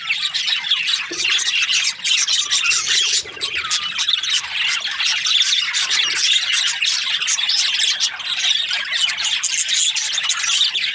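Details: Happy budgerigar chatter, a long unbroken run of high squeaky chirps and harsh little squawks layered into a busy, buzzing twitter.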